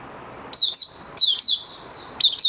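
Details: Caged oriental white-eye beginning to sing on the fifth day after its monthly deworming. Three short bursts of high, thin, warbled chirps, each note dipping in pitch, separated by brief pauses.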